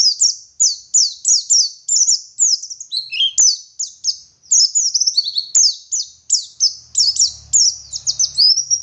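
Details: Oriental white-eye of the local Garut, West Java type in full forest-style song, a steady stream of high, downslurred whistles and chattering trills, roughly three notes a second, with two soft clicks and faint low hum near the end.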